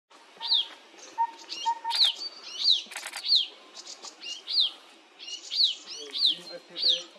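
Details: White-tailed nuthatch on a tree branch at Chopta, Uttarakhand, India, April 2023, giving sharp, high, downslurred chirps about one a second, with a few soft low whistles and brief rustling behind.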